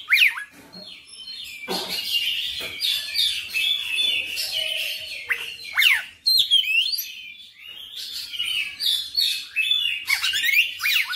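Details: Oriental magpie-robin singing non-stop and displaying its repertoire: a dense, varied stream of whistles, harsh chattering notes, quick downslurs and trills, with faint low background rumble.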